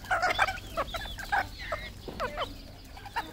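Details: Red junglefowl kept as a decoy bird, calling: short harmonic clucks and squawks in quick bursts near the start, then scattered sharp notes, with other small birds chirping and a low steady hum underneath.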